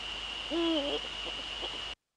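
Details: Male Eurasian eagle-owl recorded at 18:00 on 30 January 2013 in the Netherlands. One hoot rises, holds and then breaks into a faint wavering tail, followed by soft scattered noises and a steady high whine before silence.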